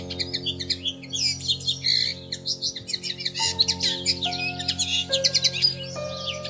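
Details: Nesting pair of Bushtits in plum tree branches, heard from a window at treetop level in early May: busy stream of high, sharp tinkling chips and short twitters, nearly continuous, with music beneath.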